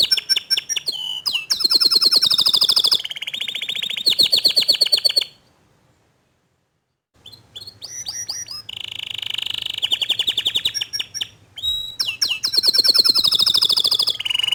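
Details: Loud master canary singing intended to stimulate a young canary. Rapid rolling trills and rattles for five seconds, a silent break, then sustained buzzy trills, sharp sweeping notes and more fast rolls.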